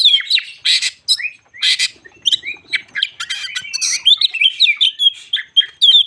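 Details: Crested shama song used to rile untrained birds, alternating buzzy rasping bursts with quick clear whistles and trills in a lively, continuous run.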